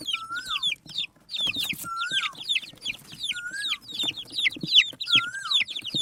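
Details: A group of desi murgi chicks eating rice keep up rapid, high falling peeps, several a second, punctuated by a lower slurred whistle roughly every second and a half, with light pecking clicks.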